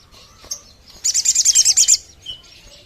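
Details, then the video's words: Sogon bird call for luring birds: a single brisk burst of about eight rapid, high, sharp notes over one second, with a soft chirp before and after. "YANG BIKIN SOGON SE KABUPATEN NGAMUK"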